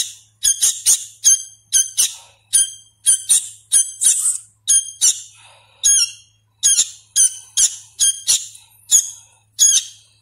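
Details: Sooty-headed bulbul nestling being hand-fed, still learning its voice, delivers rapid runs of grating, high-pitched squeaky squawks, often in quick doubles and triples, separated by short pauses in a quiet indoor setting.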